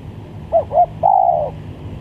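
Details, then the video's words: Single spotted dove phrase for luring doves: two brief arched coos and a sustained, slightly wavering coo, low hum in background. "Pikat Tekukur"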